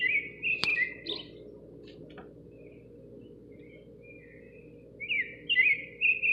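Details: Nightingale singing outside a kitchen window: a burst of varied chirping, whistled notes around the start, a sharp click, a long quiet gap, then a fresh phrase of rapid rising and falling trills near the end.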